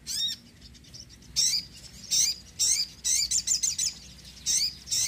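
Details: Sogon song for luring birds and encouraging quiet birds to sing, given as separate bursts of shrill, twittering chirps, each lasting a fraction of a second, spaced unevenly over several seconds.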